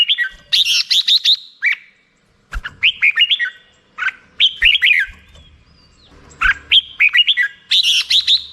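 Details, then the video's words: Black-crested bulbul delivering bubbly, warbled song phrases of five or six quick, bright notes that slur up and down. Short pauses separate the phrases, with faint soft knocks in the background. "suara burung merbah jambul"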